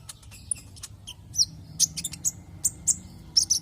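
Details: Javan white-eye lure song for coaxing other white-eyes into song: high, sharp chirps repeated at short, fairly regular intervals, over a low background hum.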